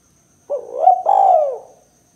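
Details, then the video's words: Spotted dove giving its "kuk 2" style call, used as a lure to attract and provoke other doves. A short rising opening note runs straight into a longer, mellow, slightly falling coo. The whole call lasts about 1.3 seconds over a quiet background with a faint steady high tone. "Suara Burung Tekukur Kuk 2 Paling Gacor Terbukti Ampuh Untuk Pikat & Pancingan Tekukur APAPUN"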